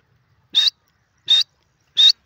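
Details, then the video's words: Teetar, the grey francolin, calling three clipped, high, ringing notes at steady intervals of roughly three-quarters of a second, with nothing else audible. "grey partridge voice teeter francolin teetar awaaz"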